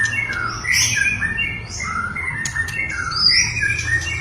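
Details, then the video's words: Singing white-rumped shama, played as a lure to stir a hesitant shama into song: short bursts of slurred whistles mixed with harsh squeaky notes and sharp clicks over a constant low electrical hum. "PANCINGAN MURAI BATU GACOR BONGKAR MATERI // AMPUH UNTUK MENAIKAN EMOSI MURAI SUSAH BUNYI"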